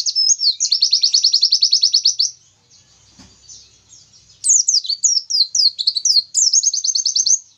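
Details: Long 'tembakan Nobita' song of an Oriental white-eye, sung to provoke rivals: a quick high trill of repeated notes, a near-silent pause with faint low rustling, then tumbling downslurred whistles and another rapid trill.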